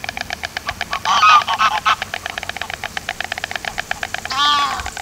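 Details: White storks bill-clattering in Gelderland, the Netherlands, in September 2023, more clattering storks hidden behind shrubs; rapid dry wooden rattles in fast bursts that swell and fade, with a short honk-like harmonic call near the end.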